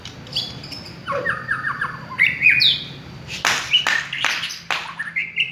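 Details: White-rumped shama of the village (kampung) type, a lure recording meant to stir other shamas to sing: rich whistled phrases, slurred rising and falling notes, then sharp clicking chatter and bright upslurred whistles toward the end.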